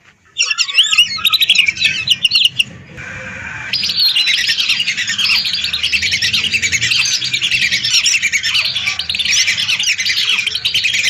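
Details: Lesser whistling ducks in a flock of hundreds, recorded for luring birds: a few clear squeaky whistles open, then a brief lull, then a continuous, crowded chorus of shrill twittering whistles to the end.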